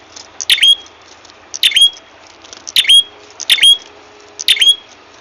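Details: Ashy tailorbird call played as a trapping lure, five bright squeaky bursts, each ending in a brief high whistle, spaced about one second apart over a quiet background.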